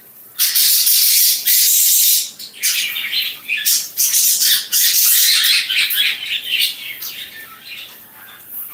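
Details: Caged pet budgerigars in Rangamati, Bangladesh, chattering after cleaning, fresh water and feeding; loud, harsh high-pitched chirps and squawky bursts run almost continuously, several birds overlapping.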